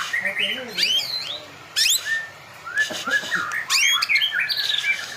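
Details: White-rumped shama delivering rapid sweeping whistles and sharp upward slurs in irregular bursts, with faint background noise between phrases.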